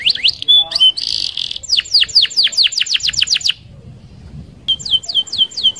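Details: Canary singing a rolling song to lure other canaries: buzzy phrases, a rapid series of sharp falling notes, a short pause, then another quick trill.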